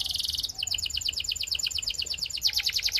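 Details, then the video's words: Belgian canary singing: a fast run of high buzzy notes, then rapid repeated downslurred chirps and a quick trilled phrase, continuous and bright throughout. "Belgian Canary Singing"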